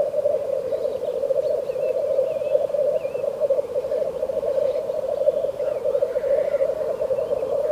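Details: Black grouse in a frosty landscape with frost crystals on the grass give a steady, low bubbling coo that runs without a break, with faint thin whistles from other birds above it.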